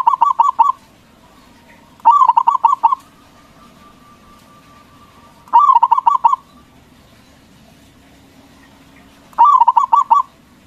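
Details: Local zebra dove singing loudly as a lure to provoke rival doves into answering: four bursts of rapid, pulsed, bubbling coos, each under a second long, repeated every three to four seconds over quiet background.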